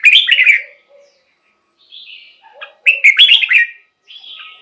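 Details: Red-whiskered bulbul song played to excite caged birds or lure wild birds as a decoy: two loud bursts of rich, warbling whistled phrases, each about a second long, with softer, lower chattering notes in the pauses between them.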